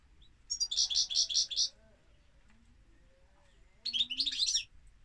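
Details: European goldfinch song: a run of five evenly spaced, bright tinkling notes, silence, then a fast jangling twitter phrase, all high-pitched and clear.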